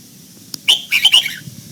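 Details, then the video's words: Red-whiskered bulbul during morning voice training for the old-forest double note; a click, then a quick run of three whistled notes ending in a falling slur, with quiet low hum behind. "Luyện giọng cho chào mào hót sáng, ép chào mào hót âm kép già rừng hay tuyệt!"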